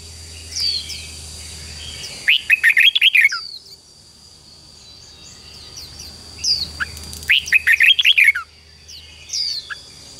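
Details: Red-whiskered bulbul morning song for training young wild-caught birds to sing fighting song: two dense, bubbling bursts of whistled notes, each about a second long and about five seconds apart, with occasional soft chirps between them.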